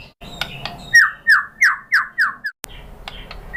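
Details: White-rumped shama: a few soft notes, then five loud, clear descending slurred whistles in steady succession. A quieter spell follows.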